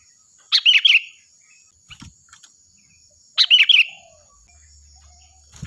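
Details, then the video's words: Loud, ringing sooty-headed bulbul song meant for tutoring other birds: short bubbly whistled phrases repeated about every three seconds, a steady high insect-like hum in the background. "Suara burung Kutilang Gacor || Nyaring dan keras cocok untuk masteran"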